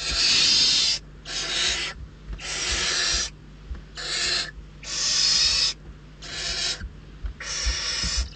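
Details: Rasping, hissing screeches from hungry barn owl chicks competing for food at a Riet Vell reserve nest, Ebro Delta; about seven long noisy bursts, each near a second, separated by short pauses.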